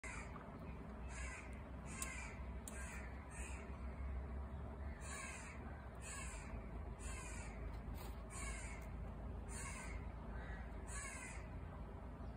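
Grey partridge giving harsh, grating calls, about nine in a row roughly every second and a half, over a steady low rumble of wind or handling noise.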